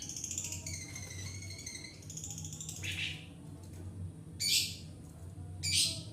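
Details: Long-tailed shrike, singing bird used as a lure for training others: drawn-out whistled tones interrupted by loud harsh rasping bursts, with a low hum underneath.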